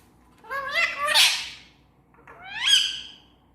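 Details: Talking parrot; two separate voiced phrases a second apart, the first wavering and rising into a harsh peak, the second a sharp rising squawk-like word, in a quiet room.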